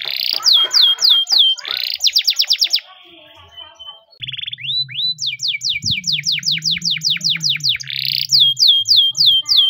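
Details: Timbrado canary, the Spanish singing breed, in a training song: swooping falling notes and a fast clicking trill, a brief pause with a thin tone, then long runs of repeated descending notes.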